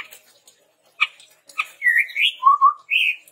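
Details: Red-rumped tepus song for training birds: two sharp clicks, then a run of rising and falling whistled notes ending in a lower wavering whistle and a final higher slurred note.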